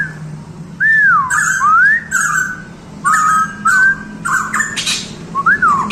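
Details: A pitohui, a species endemic to Papua, gives rich, slurred whistles that swoop up and down, broken by harsh, rasping squawks, over a steady low indoor hum.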